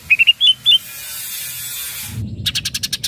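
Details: Greater green leafbird in vigorous song, meant to provoke rivals and make untrained leafbirds answer: a quick run of six clear, high whistled notes, a pause over steady hiss, then about eight harsh buzzy ticks in rapid even succession.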